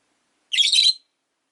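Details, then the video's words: Pet rosy-faced lovebird, one of five in a cage near a window: a single grating, high-pitched squawk of about half a second in otherwise quiet surroundings. "Lovebird Chirping Sounds"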